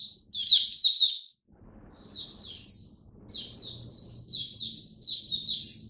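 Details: Oriental white-eye in captivity during cold, rainy weather delivers a burst of sharp, high twittering, a short silence, then strings of quick thin chirps and slurred whistles, with a soft low hum underneath.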